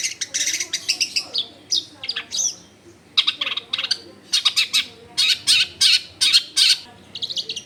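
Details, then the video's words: Long-tailed shrike in energetic full song, used to draw other shrikes into singing, recorded in a dense residential area: dense bursts of harsh, scratchy chattering notes in quick succession, with a short pause midway. "SUAR BURUNG CENDET GACOR COCOK BUAT PANCINGAN CENDET BAHAN BIAR IKUT BUNYI"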